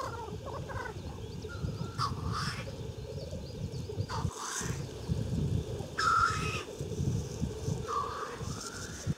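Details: Black grouse on a Siberian lek at Klassino, Omsk region, 2018: several loud hissing, sneeze-like rushes every two seconds or so over a faint bubbling murmur and heavy low rumble.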